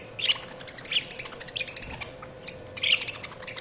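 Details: Budgerigars chirping: bursts of high, scratchy warbled chirps and squeaks in clusters roughly every second, with a faint steady low hum underneath.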